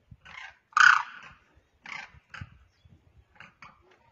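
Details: A demoiselle crane, on the ground calling to another bird in the air, gives harsh, rattling croaks in six short bursts over four seconds, the second much louder and more drawn out than the rest.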